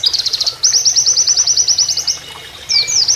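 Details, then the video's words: Canary-style Oriental white-eye song kept as a training master: a short burst of quick notes, then a fast, even, high-pitched trill of repeated chips for about 1.5 seconds, followed by slurred whistles, with soft flowing water underneath. "MASTERAN PLECI NEMBAK KENARIAN"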